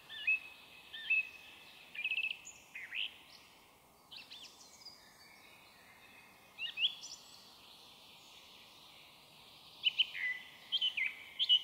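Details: Song thrush singing in woodland around 7–8 pm on 1 May 2023: short, clear whistled phrases with some twittering notes, in bursts every second or two with pauses; a blackbird may whistle distantly.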